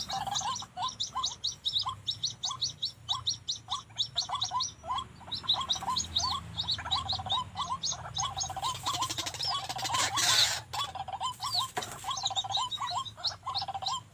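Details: White-breasted waterhen trapped one afternoon beside a house wall behind a kitchen using a lure bird; two came, one male caught: a steady run of harsh, rhythmic croaking notes, several per second, repeated without pause, with faint rustling.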